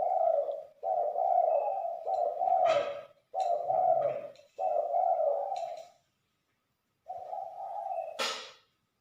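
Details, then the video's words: Spotted dove used for luring by a bird-luring community in Liwa, West Lampung, Indonesia: low mellow coos, each about a second long, in runs with short gaps, plus sharp knocks at intervals, recorded indoors. "Pikat Terkukur"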